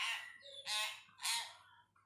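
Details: Hill myna mimicking speech as it learns new words. Three loud, harsh, voice-like bursts come about half a second apart, rich and rasping, in a quiet room.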